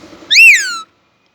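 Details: Indian ringneck parakeet kept at home, said to speak Urdu/Hindi: one loud harsh screech, rising then falling over half a second, followed by silence.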